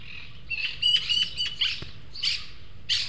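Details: Three juvenile Eurasian magpies at a garden feeder at El Huerto del Retiro, central Madrid, give harsh, rasping chattering calls in quick irregular bursts, some six or seven in three seconds; two beg food from the third, more developed one, over faint low hum.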